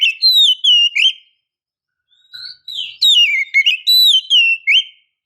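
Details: Female Oriental magpie-robin calling to draw males into song. Two phrases of pure, looping whistles, each slurring downward and bending back up, with a quiet gap between them.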